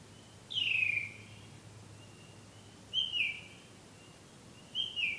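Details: Bird singing love songs in the night; one long falling whistle followed by two shorter two-part whistled phrases, spaced about two seconds apart, quiet surroundings.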